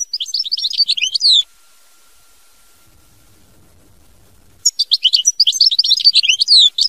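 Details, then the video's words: ['European goldfinch, mama binette song style: fast, bubbling, high-pitched twittering with sliding liquid notes, stopping for about three seconds before a second energetic run.'] "Chant Chardonneret mama binette"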